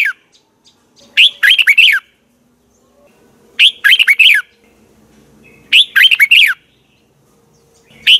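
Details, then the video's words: Morning training song of a Red-whiskered bulbul in the double twisted voice style; four lively, warbling phrases of quick slurred notes spaced about two seconds apart with near silence between. "Luyện chào mào hót sáng 2020, Giọng kép xoắn 6789 Quá hay hót căng lửa, luyện chào mào hót"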